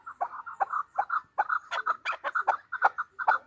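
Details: Calling female chukar partridge gives quick, evenly pitched chuck notes in small clusters, roughly three per second, with brief pauses between groups.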